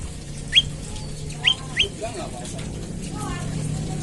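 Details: Morning lure recording of an olive-backed tailorbird, meant to prompt other tailorbirds to call: three bright rising chirps in the first two seconds, followed by fainter mixed chatter and low background noise.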